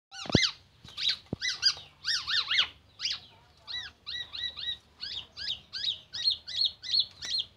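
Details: Black-naped oriole singing a medley that mimics oriental magpie-robin and an ambulance siren: bright ringing harmonic notes, some rising, others falling, in short bursts, then a steady series of paired chirps about twice a second.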